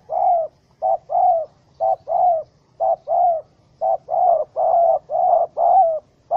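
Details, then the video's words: Spotted dove, wild and angry in a rope trap, recorded 04/07/2017: a dense series of low hooting coos, short and long notes paired, about one pair per second, with little pause between pairs. "Sound Of Angry, Wild Bird Trap With Small Rope: Birds Spotted dove(Spilopelia chinensis)"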